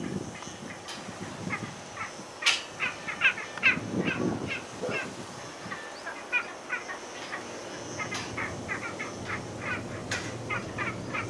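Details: Spanish imperial eagle calling: a loose series of short, hoarse, mid-pitched barks, irregularly spaced, over a steady background hiss with low rumbling.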